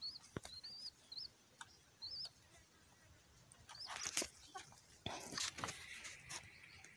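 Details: Pink-necked green pigeon kept as a pet gives a run of short, high, wavering whistles early on, each a quick squiggly note, followed by scattered clicks, rustling and handling noises.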